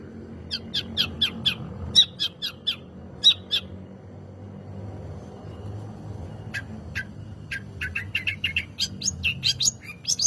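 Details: Long-tailed shrike song used to provoke other birds into singing: bursts of sharp, high chirps and squawky notes in two series, separated by a quiet gap of about three seconds.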